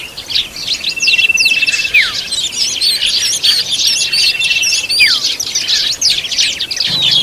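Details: Oriental magpie-robin feeding its young: a dense, high chatter of overlapping chirps, a long steady whistle held about a second, twice, and quick downslurred notes sliding lower between them.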